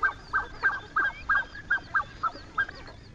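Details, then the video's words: Black-necked swan (Cygnus melancoryphus) gives a string of soft, honking, slightly whistled notes, about three per second, at steady mid pitch over low background rumble. Finding: Black-necked Swan. "Canto del Cisne Cuellinegro"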